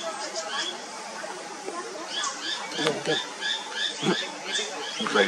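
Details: White-capped redstart, a Himalayan river-side bird, giving thin, high, short calls repeated about every half second beside a stream, over a steady rushing water background with faint human voices.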